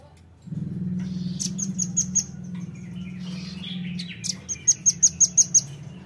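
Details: Velvet-fronted nuthatch lure call: a brief run of rapid shrill chips, a short rising note, then a second quick series of about six high, sharp notes, with a constant low drone behind.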